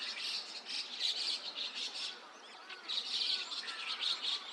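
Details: Dawn flock of white-cheeked and chestnut-cheeked starlings, Takata-cho in Rikuzentakata, Japan, 5 a.m. on 29 June 2026; busy high chatter in two loud waves separated by a quieter gap, faint slurred whistles beneath.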